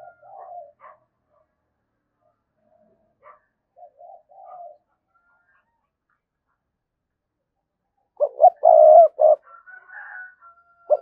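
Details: Spotted dove cooing lure for provoking a response: quiet fragmentary low coos, a long silent gap, then a strong burst of short coos and a sustained note, followed by a faint higher drawn tone.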